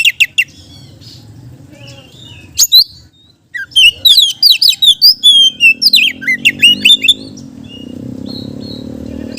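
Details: Oriental magpie-robin in full song, used as a lure for other magpie-robins; rapid sequences of sharp, sweeping whistles and chips in bursts, broken by a brief pause, over a faint low hum.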